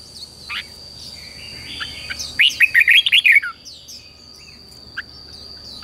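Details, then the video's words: Red-whiskered bulbul morning song for training wild-caught young birds: after quiet scattered chirps, a sudden rapid run of about eight bright warbled notes lasting one second, then faint calls and a steady high whine. "luyện cho chào mào bổi hót"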